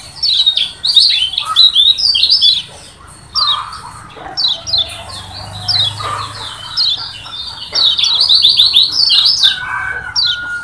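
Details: A Lombok yellow white-eye sings fast, high, twittering phrases of quick chirps and trills in bursts of one to two seconds, with overlapping phrases throughout.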